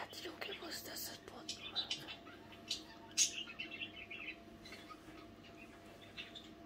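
Budgerigars mutter softly at night: scattered high, scratchy chirps and clicks, a few louder squeaks in the middle, over a faint steady hum.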